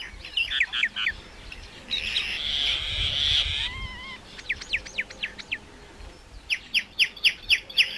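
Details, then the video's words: Myna song: quick whistled notes, a long harsh buzz with a wavering whistle, then a steady series of sharp clicking whistles, repeated several times per second. "Common myna bird song /Indian maina sound /mynah singing"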